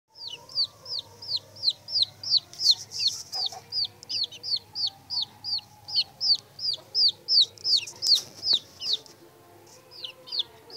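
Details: Aseel chicks with a rooster, peeping steadily: loud high downward-sweeping peeps repeated almost three times a second throughout, over a low background hum.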